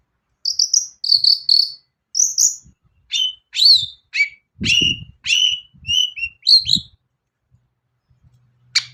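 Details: Long-tailed shrike lure song to make other shrikes sing: spaced, clear high whistled notes, some falling, about one or two per second, in otherwise quiet surroundings with faint low thuds.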